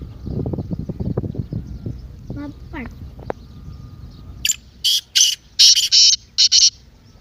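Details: Excited partridge call meant to make a silent partridge speak up. Low rumbling and thumping noises come first, then a quick string of loud, rough, rasping notes in the second half.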